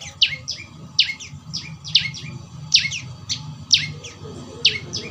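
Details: Calls of a young prenjak lumut prinia, played for training a caged bird: bright, descending high chirps in tight clusters, recurring about once per second, with a faint low rumble underneath.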